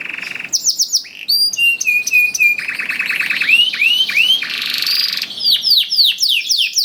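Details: Canary song played to encourage other canaries to sing: varied phrases of buzzy trills, steady whistles, rolling mid-pitched rattles and swooping high chirps in quick alternation.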